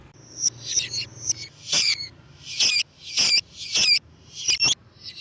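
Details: Lovebird sound for luring lovebirds: irregular harsh squeaky chattering bursts mixed with thin high whistled notes, loud and shrill, with a faint low hum.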